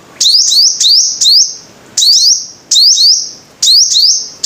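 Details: Five-coloured sunbird song: loud, very high phrases, each a sharp upward sweep into a thin sustained whistle, with short gaps between bursts, heard five times.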